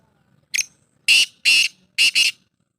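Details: Black francolin, known locally as kala teetar, recorded in Pakistan on 18 July 2023: a short sharp opening note, then two loud harsh grating notes and a quick doubled harsh note, the phrase lasting about two seconds, with a quiet background.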